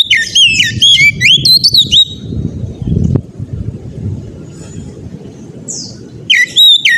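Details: Oriental magpie-robin singing in the persistent ngeplong gacor manner, meant to prompt other magpie-robins to sing. A rapid run of bright whistled notes and swoops, then a low rumbling pause and a short high burst before the song resumes.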